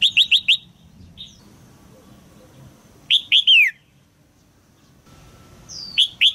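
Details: A caged female red-whiskered bulbul calls to encourage a young male's song. The clip opens with a rapid burst of four sharp chirps, then a three-note phrase ending in a descending whistle, and one more phrase begins near the end.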